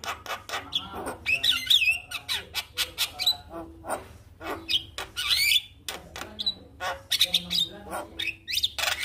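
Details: Javan myna (jalak kebo), kept caged and said to be slow to sing, responding to a played lure song with a busy stream of harsh rattling bursts, chattering squawks and bright whistled slurs, steady low hum beneath.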